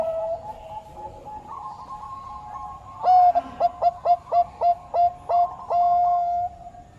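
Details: Bangkok turtle dove song opening with soft, wavering sustained cooing, then breaking into a quick run of about ten clipped, punchy coo notes, followed by a long held final note that fades out.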